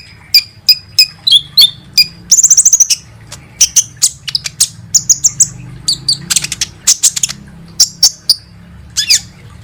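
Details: High-pitched sunbird song, known locally as kolibri ninja, played as a lure to make birds sing: spaced sharp chips mixed with rapid buzzy trills and fast twittered phrases.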